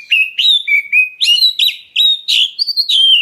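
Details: Black-breasted Oriental magpie-robin calling to provoke other birds into answering: a steady run of about eight loud whistled phrases, some slurred upward, some falling, each with a scratchy buzzy start, delivered with almost no pauses.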